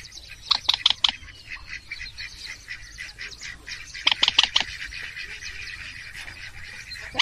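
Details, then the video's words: Purple swamphen 'trích ré' call, a trapping lure: two rapid bursts of strident, rasping notes about three and a half seconds apart over a continuous wheezy chatter. "tiếng trích ré quốc biển bản f7 rất hiệu quả"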